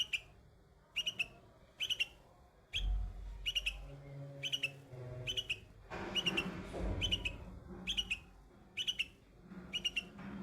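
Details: A baby bulbul perched among white flowers sings eleven short, sparkling chirp phrases about once a second, over intermittent low rumbling background noise.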